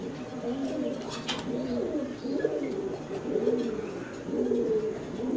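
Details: Fancy pigeons cooing: low, rolling, throaty coos repeated about once a second in overlapping phrases, with faint clicks and light rustling behind.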